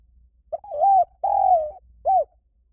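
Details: Mellow spotted dove coos used for luring: a short pip, a rolling coo, a long steady coo easing downward, then one brief hooked note. A low hum lies underneath.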